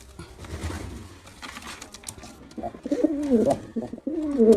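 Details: Quiet at first, then a male pigeon performing breaks into fast, wavering coos in the second half, the deep throaty notes tumbling in quick succession and ending on a loud droning phrase.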